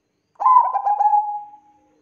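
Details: Zebra dove of the Bangkok type, recorded as a lure to get other doves singing: one soft cooing phrase of rapid, bubbling notes that slows and fades into a long steady tone.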